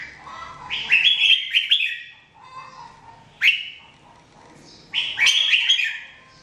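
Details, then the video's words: Jambul or red-whiskered bulbul singing, 2017 training recording: a busy chattering whistled phrase, a single short whistle, then another bubbling, rich phrase, with small pauses between. "Training Jambul bird singing everyday 2017"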